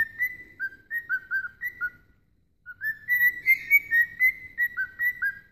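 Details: A pet cockatiel singing to a puppy whistles a lively tune of clear, sliding notes, pausing briefly before resuming.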